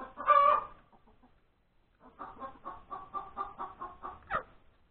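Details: Chicken hen cackling after laying an egg at breakfast time on 31 January 2021: a loud, harsh opening cry, a brief lull, then a rhythmic series of about eight staccato clucks and a sharp knock.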